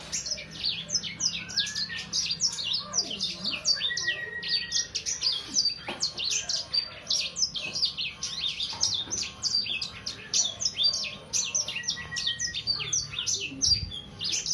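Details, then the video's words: Sangihe hanging parrot, a young bird of roughly three months, delivering a long unbroken run of sharp, high-pitched chirps and quick downward twitters, dense and fast throughout, with an occasional low background hum. "Burung sanger paud..durasi 2 menit tanpa jeda."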